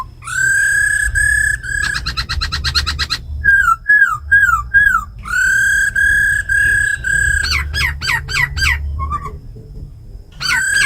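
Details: Laughingthrush song in wild forest style from a tamed caged bird, mixed with female rattle calls to fire up others: long rich steady whistles, a fast stuttering trill, slurred downward phrases and sharp repeated upswept notes.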